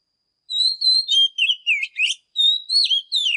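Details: Oriental magpie-robin in peak form, singing in the morning as a tutor song for young birds: clear high whistled notes, a long level whistle, then quick falling and rising slurs in short bursts, with a pause midway.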